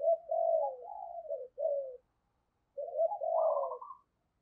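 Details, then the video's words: Decoy spotted dove calling to attract wild birds: two phrases of soft, throaty coos, each gliding slightly downward and ending with a higher trilled note, separated by a short silence. "Chim Cu Mồi Gáy Gọi Giọng Hay Và Rất Sát Bổi"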